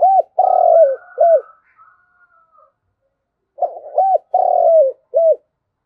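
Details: Spotted dove, a ground decoy bird, calling the flock: two full phrases of low coos, each a short arched note, a long burred descending coo, then a clipped final coo, separated by a quiet gap.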